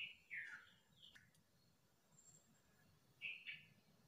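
A common nightingale gives short bursts of rich, slurred whistles and chirps in brief phrases separated by pauses, over a faint background hiss.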